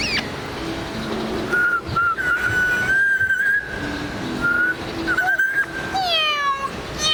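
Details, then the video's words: A talking African grey parrot at a hotel in Hawaii gives long, steady mid-pitched whistles, some wavering, then a few quick falling slurs, over a steady hum of background chatter; Grey parrot. "Talking African Grey Parrot"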